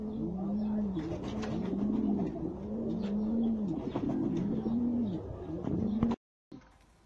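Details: Jafari pigeon, said to be the world's smallest pigeon type, cooing in a series of low, arched phrases, each rising then falling, repeated roughly every second for six seconds before a sudden cut.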